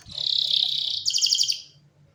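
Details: Canary sings a short phrase: a steady, rich, rapid warble that switches abruptly into a quicker, bell-like trill of bright pulses before fading out.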